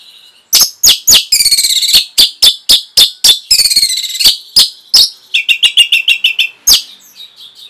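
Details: Training song for caged Orange-headed thrushes: fast, loud, harsh, scratchy notes delivered in a rapid volley, several per second, with bursts of buzzy rattling and a closing run of clipped chirps.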